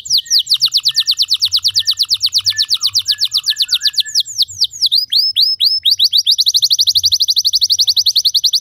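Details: Canary song for training other canaries to sing long: fast regular high trill, a run of downward slurred notes, then another rapid rolling trill, loud and continuous throughout.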